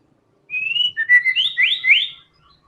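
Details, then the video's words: White-rumped shama in full fighter song: a high, sweet whistled note followed by a string of rising, looping slurred whistles, bright and clean over near silence. "TEMBAKAN MURAI BATU GACOR BONGKAR SEMUA ISIAN FULL FIGHTER"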